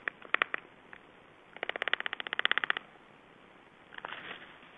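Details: Black storks at an Estonian nest during feeding, giving a short burst of harsh notes, then a longer run of rapid, evenly spaced rasping pulses, followed by a fainter scratchy outburst.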